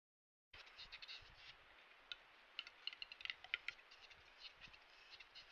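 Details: A male western capercaillie's mating-season courtship display: a series of sharp dry clicks, several per second, over soft scraping, hissing whetting sounds, with faint background hiss.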